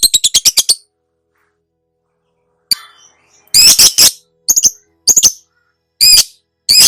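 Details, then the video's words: Lovebird (labet) training song for cage birds, a long-duration chattering recording: quick series of shrill high chips, a pause, then bursts of harsh, buzzy, shrieking notes repeated at irregular intervals. "SUARA BURUNG LABET MASTERAN NGEKEK DURASI PANJANG (PANCINGAN TERBARU)"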